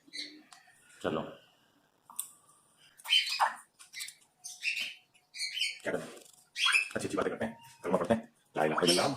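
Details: A pet female Congo African grey parrot talks in Urdu/Hindi, mixing speech-like phrases with sharp whistled notes and short squawks, delivered in bursts separated by brief pauses indoors.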